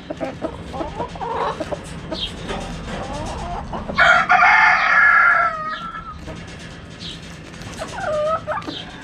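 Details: Backyard chickens: hens clucking and chirping, then a rooster crows loudly in one long, harsh, ringing call midway before the clucking resumes.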